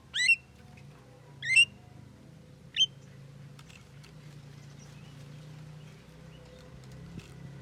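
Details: Javan myna, a bird said to talk, giving three quick rising, harmonic squeaky utterances in the first three seconds, then near-silence with a low steady hum.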